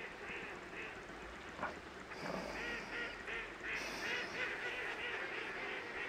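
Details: Baikal teal at Harasaki pond, Japan, on 30 December 2010, giving short, nasal clucking calls repeated roughly three times a second, with a faint background hiss.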